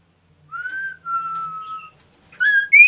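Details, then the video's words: Ashy tailorbird singing actively: two long, steady whistled notes, the second slightly lower, followed after a pause by brighter, higher whistles that step upward, with rich overtones and a quiet room background. "KASO KASO GACOR"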